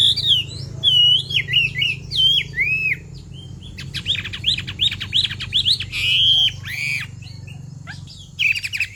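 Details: Chinese hwamei female calling to excite a male into song: looping whistled slurs rise and fall, then rapid sharp clicking notes and short whistled phrases, with a faint low hum behind.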